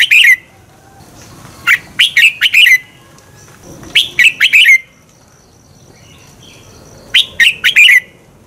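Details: Red-whiskered bulbul singing its double-twist morning song, a decoy recording meant to provoke competition singing; four short phrases of quick, chirpy, descending whistles come every two to three seconds over a quiet background.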